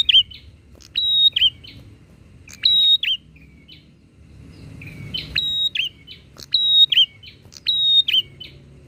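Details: Bar-winged prinia singing energetically in a back-and-forth exchange meant to provoke other prinias: short, sharp, high phrases of clicks and a flat piercing whistled note, given in bursts with a pause mid-way, over faint low rumble.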